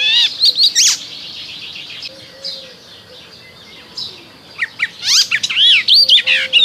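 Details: Icterine warbler song in spring, lively high whistled and nasal phrases, some repeated in quick pairs, a quieter stretch in the middle, then a loud, varied, chattering finish.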